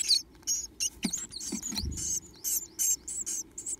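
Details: Two Japanese tit nestlings, the last left in a nest box, begging for food with mouths wide open; dense bursts of high, hissing, squeaky calls with a few soft low knocks in between.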